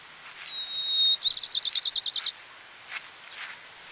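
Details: White-crowned sparrow in the Sierra foothills of California, USA: a clear high whistled note, then a fast run of about ten buzzy chirped notes over roughly a second, with fainter distant bird notes afterwards.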